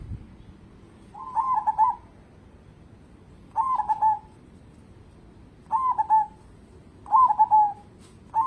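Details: Zebra dove of a local variety singing keenly, kept as a lure to set other birds singing: five phrases spaced roughly every one and a half to two seconds, each a rapid stutter of soft rolling coos ending in a falling tail.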